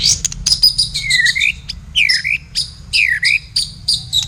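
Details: Caged white-rumped shama of the blacktail type in a song duel with a kapas tembak, used as song training: clear whistled phrases slurring down then up, mixed with rapid high chips and trills, with a low steady hum beneath.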